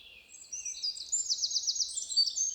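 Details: Eurasian wren song, played back; a high, thin, continuous phrase with a fast trill of about five rapid notes in the middle, loud and musical, over faint low background noise.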